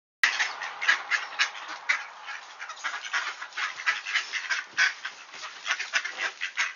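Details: Wood ducks returning at Sainte-Adèle, Quebec, Canada, on a clear 1°C morning at 7:53 AM, 18 October 2024: dense, overlapping nasal chatter from many birds, steady and busy throughout after a sudden start.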